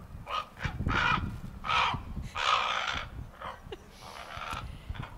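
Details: Juvenile common ravens near their nesting area at Johnson Farm, Anderson Island, give harsh, hoarse, uneven croaks and squawks, about six bursts in five seconds, varying in pitch and length, over faint low rumbling. They are practising their voices in summer and do not yet sound like adults.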